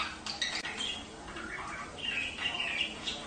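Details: Budgerigar chatter played to encourage mating: a continuous run of twittering, warbled chirps and short squawks over steady background hiss.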